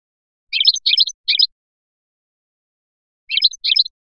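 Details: Biskra goldfinch, Felyachi song style, delivering short clusters of bright, scratchy high chirps in two groups, the first of three quick bursts, the second of two, with silence between.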